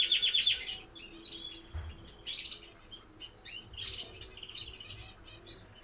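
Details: Canaries in an aviary giving short trills and scattered chirping notes in brief bursts, quieter and more broken than a full song, with a faint low thump.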